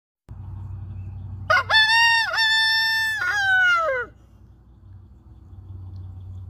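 A rooster gives one loud, harmonic cock-a-doodle-doo crow of about two and a half seconds, rising then held and dropping at the end, over a low hum.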